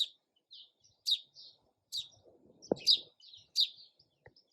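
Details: Sparrow chirping: short bright chips in spaced bursts roughly every half second to second, with a soft low thump midway and faint rustling in the background.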